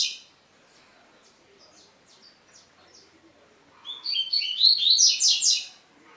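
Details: Double-collared seedeater song, played to stir other males into singing: a few soft, high chirps and short notes, then a loud burst of rapid, high-pitched, buzzy-whistled phrases for about a second and a half near the end.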